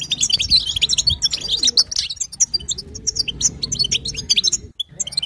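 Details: Female European goldfinch in batbata and sastasa chatter, the sounds meant to coax a male into song; a fast high twittering burst that thins toward the end, over a soft low humming drone.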